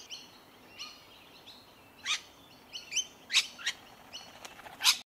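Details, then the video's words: Rainbow Lorikeets feeding on tree violet berries, Melbourne, Victoria, January 2021; harsh screeches recur about once a second, and several sharp loud shrieks near the end stand out against a quiet background. "Rainbow Lorikeets feeding on tree violet berries"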